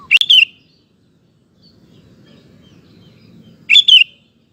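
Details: Sooty-headed bulbul in vigorous song as a lure for males: two short phrases of chirpy, warbling notes about three and a half seconds apart, separated by quiet low rumbling noise.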